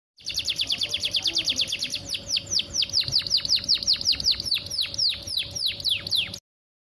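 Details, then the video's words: Female canary in breeding condition used as a lure to make male canaries sing quickly; rapid series of clear, high descending whistled sweeps, about two per second, steady over six seconds against a faint low hum. "PANCINGAN KENARI BAHAN AGAR CEPAT BUNYI"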